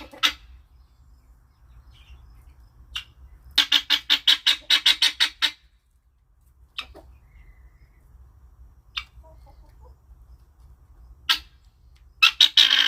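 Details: A happy helmeted guineafowl giving harsh, rasping, repeated calls, one run of about eight quick grating notes, with scattered single cackles between; low hum underneath.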